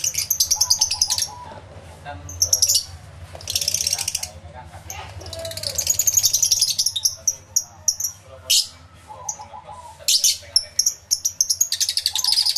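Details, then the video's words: Many lovebirds in an aviary, stereo recording from two external microphones: bursts of shrill buzzy chatter alternating with sharp chirps, plus occasional lower fluttering whistles from the flock. "1 Hour Lovebird Sounds Aviary Series V1"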